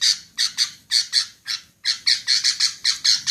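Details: Clipped, grating notes from a female sooty-headed bulbul, spaced singly at first, then quickening into a regular series after a brief gap.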